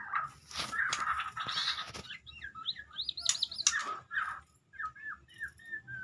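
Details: Medan white-rumped shama opening with loud harsh, noisy bursts, then switching to a run of quick rippling whistles and softer gliding notes separated by brief pauses.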